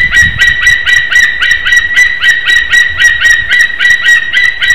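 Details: White-tailed eagle pair bonding and mating at a nest in Slītere, Latvia, on a February 2021 morning; persistent loud yelping, close to four notes per second, ringing and slightly nasal, over faint low background noise.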